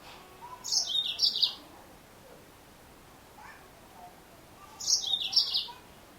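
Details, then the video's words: Female yellow-fronted canary uttering two short phrases of shrill, descending chirps, about four seconds apart. Each is a quick cluster of falling notes lasting under a second. Soft faint tones and light hiss sound in between. "Mendengarkan suara burung Mozambik Betina"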